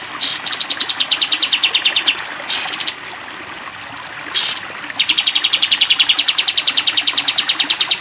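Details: Caged sooty-headed bulbul singing the long 'tembak panjang' style, recorded as a training song for cage birds: long rapid trains of sharp, even chip notes, broken by brief bursts of splashing water.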